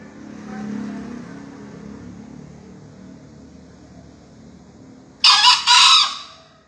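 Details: Green junglefowl in a 2020 crowing contest final in Surabaya, Indonesia: after a quiet stretch, a loud harsh two-part crow bursts out near the end, the second note held slightly longer.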